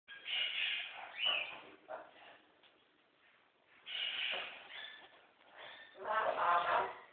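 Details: Pet male scarlet macaw at play during special time with its owner, giving rough, broadband squawking bursts in three bouts with quieter gaps between.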